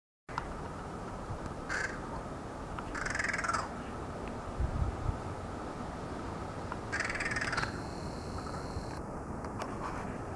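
A crow gives three harsh, raspy caws, a short one then two longer ones, spaced a few seconds apart over a steady hum and low background rumble.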